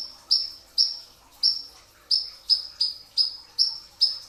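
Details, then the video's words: Before dawn, a brown-throated sunbird, called konin dada coklat locally, gives a training song of dense bursts: bright, high, slightly falling chirps, some spaced and some in quicker pairs, roughly every half second. "masteran pedas kicau konin dacok, kolibri ninja 2tak dada coklat full tembakan rapat di saat sahur"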